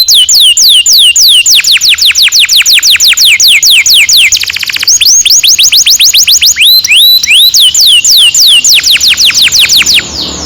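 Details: Canary's long rolling song, used to teach young canaries: a long chain of clear downward-sweeping whistles with a brief rapid buzzy trill in the middle, shifting to upward-curving notes, then more falling whistles.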